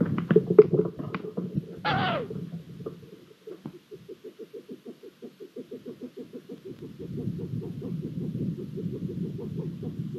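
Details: Long-eared owls at a nest in Hungary, 23 April 2022, during the male's food deliveries with a newly hatched chick: a brief harsh, rising squeal, then a quick run of soft, low pulses, about three a second, over a steady low rumble.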